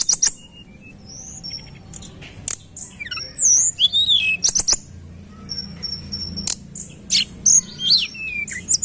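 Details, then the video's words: Sunda robin (tledekan gunung) singing energetically, recorded as a lure: rapid clusters of high, wavering, slurred whistles and clicks, broken by short pauses and a steady thin high tone. "Tembakan Rapat Burung Tledekan Gunung Gacor dor"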